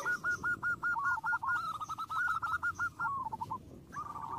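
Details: Zebra dove, called perkutut, singing to provoke rival birds into answering. A rapid run of short, clipped cooing notes keeps a steady pitch and then trails off, over a noisy background.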